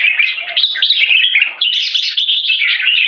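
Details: Jambul, or red-whiskered bulbul, from a bird farm singing 'one stroke' into 'keke': quick, tumbling chirps and short warbles packed closely together, sweet and slightly buzzy, rising slightly after a short dip.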